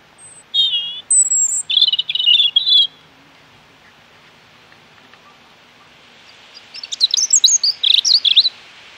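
An American robin gives a few clear, warbled caroling phrases, a pause, then a run of thin, high squeaky notes; otherwise quiet.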